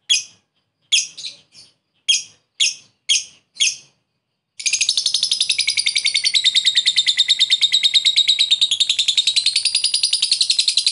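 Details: Lovebird lure recording meant to call a rival, in the ngekek style: six sharp high chirps over four seconds, then a long, fast, buzzy chattering trill that wavers in pitch and runs without a break to the end.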